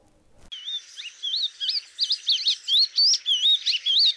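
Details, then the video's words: Wing-barred seedeater singing clear, sweet warbled phrases of wavering, looping whistles and quick rising-falling slurs, growing louder and more emphatic over a few seconds against a quiet background. "O canto do Coleiro do norte"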